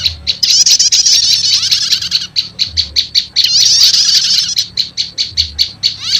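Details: Prinia lure combining prenjak lumut and prenjak setater, said to quickly call wild birds: measured runs of sharp, evenly spaced high chips framing a dense burst of fast twittering trill.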